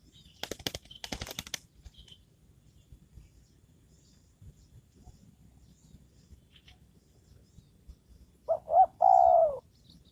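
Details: Spotted dove decoy bird used to lure wild doves gives one short-short-long coo near the end, after rustling, tapping sounds and a faint distant chirp.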